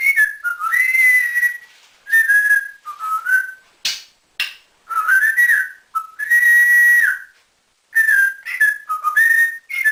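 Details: Indoor pet African grey parrot, a male taken in at about nine months old and taught to whistle like a builder, repeats loud wavering whistled phrases for ten seconds, with sliding notes, a few sharp breathy bursts and brief pauses.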